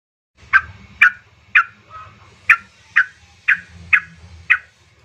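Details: Yellow-vented bulbul female calling to a male, played as a lure for caged birds: eight separate short, sharp liquid notes spaced about half a second apart, with faint low rumble in the background.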